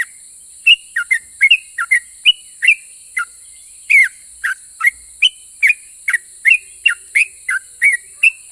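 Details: Chatty yellow-vented bulbul singing a song meant to draw replies from other bulbuls: quick, bright whistled notes, alternately falling and upslurred, repeated roughly two to three per second without a break, against constant high-pitched background hiss.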